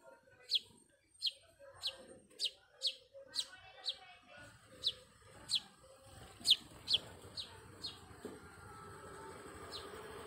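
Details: Brahminy starling (Sturnia pagodarum) in India, collecting nest sticks and drinking at a water pot, giving a steady run of sharp, high chipping notes, roughly two each second, fading toward the end against a soft background hiss.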